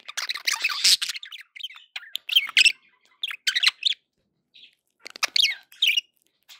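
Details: Happy pet budgies give bright chirps and quick warbled phrases, a busy burst at first, then scattered clusters of sharp tweets with short silences between.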